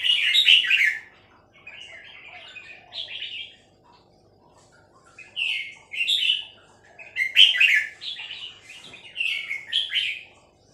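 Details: Song of a female red-whiskered bulbul in the three-syllable pattern: loud, cheerful warbling phrases repeated in groups, separated by short silences, with quieter chirps in between.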